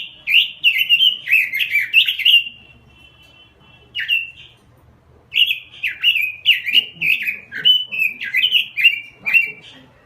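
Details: Energetic robin song, called gacor: rapid warbling phrases with a brief held whistle, then another long, run-on sequence of rising and falling slurred notes, loud and clear throughout.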